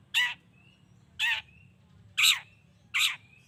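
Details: Long-tailed shrike calling to stir other shrikes into answering: four loud, rasping, downward-slurred squawks about one second apart, each followed by a short thin whistle, over a quiet low hum.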